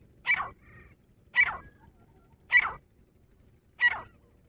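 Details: Grey francolin, a female dhakni teetar, calling during a fight: four sharp, harsh notes roughly one second apart, each followed by a faint echoing note, against soft low hum.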